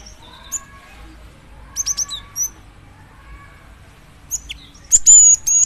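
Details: Cinereous tit, a female calling the male, giving scattered high chirps and a closing burst of piercing whistled notes; faint lower tones run in the background.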